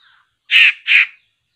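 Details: Laughingthrush calling while traps are set to catch it: two loud, harsh, rasping bursts about a third of a second apart, with faint thin whistles before them.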